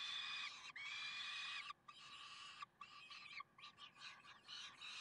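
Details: Karlsruhe peregrine falcons on 30 May 2010 giving loud, harsh, nasal wails that break into a rapid run of choppy, grating notes, with short gaps between bursts.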